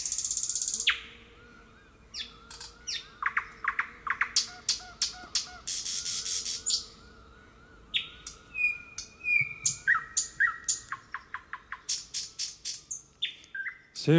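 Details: Thrush nightingale singing boldly in the wild, its loud strophes repeated and varied: rapid clicking bursts, rattling runs, whistled slides and a sudden loud high note at the end.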